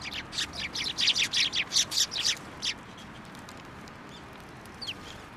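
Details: Sparrows flocking at a shrine on 1 January 2024 to take food from a post. A quick run of about ten loud, buzzy chirps is followed by quieter scattered notes and a thin, falling single call.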